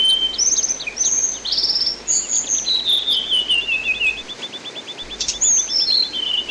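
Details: Songbird training recording of an orange-headed thrush singing binbin-style, water-therapy version: rising whistles give way to a long trill that slides steadily downward, a brief gap, then more high falling whistled notes.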